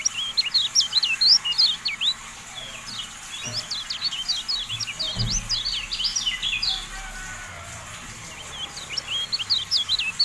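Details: A tutor track of Javan white-eye song meant to get kept birds to stand up and open their beaks. High, quick chirping whistles tumble in irregular bursts, with a brief pause midway and a low thump at about five seconds.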